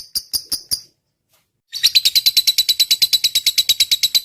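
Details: Lovebird in the long 'ngetik' (typing) song style, recorded for training other birds: four sharp separate chirps, a pause of silence, then a fast, continuous run of high, clicking notes, about three per second.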